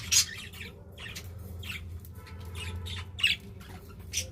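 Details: Budgies kept as pets give scattered short scratchy chirps and squawks, some sharp and high, with quiet gaps and a steady low hum behind.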